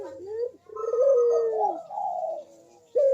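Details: Barbary dove coo used to encourage quiet doves to call: a soft rising note, then a long wavering coo trailing down, followed by a short sharp coo at the end.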